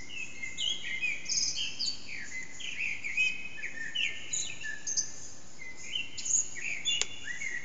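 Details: Eurasian blackbird at about 4:30am in an echoing backyard, recorded with an HTC Desire phone, bird not visible; a continuous sequence of varied flute-like phrases with thin high trills between them and a brief click near the end.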